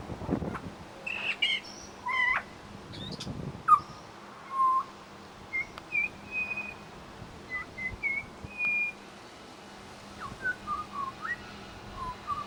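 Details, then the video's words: Mimicking pied butcherbird at a bird sanctuary, giving scattered clear whistles, short upslurred and downslurred notes and a few sharp high chips, spaced by brief pauses; soft low rumbles early on and a constant faint hum behind. "Amazing mimicry by Pied Butcherbird"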